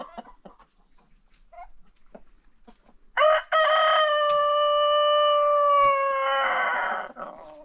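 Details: Roosters at a farm, daily crowing contest after breakfast; after scattered faint clucks, one bird lets out a clipped opening note followed by a long, steady, strongly harmonic crow lasting about three and a half seconds.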